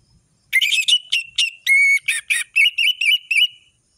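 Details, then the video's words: Orange-headed thrush singing in lively ngeplong style, full of variation: a loud burst of clear whistled notes around a steady pitch, a sustained level whistle, then a run of quick wavering whistles, all against silence. "Anis merah gacor ngeplong full variasi bagus untuk masteran burung anis merah trotol"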